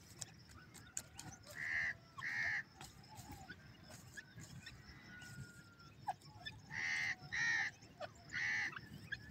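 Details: Francolin (teetar) calling in open country on a morning walk: loud, harsh, harmonic notes, first a pair, then after a pause a pair and a single, against faint chirps of small birds and scattered clicks.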